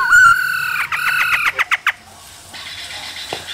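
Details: A male laughingthrush sings and dances with a female's calls in the cold season. A bright whistle runs into a quick stuttering series of notes, then four sharp clipped calls. After that comes a quieter, hissy stretch.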